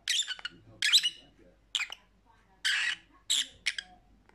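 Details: Lovebird squawking for lonely pet parrots: six harsh, buzzy, scratchy shrieks in uneven bursts, separated by short silences, with faint low background murmur.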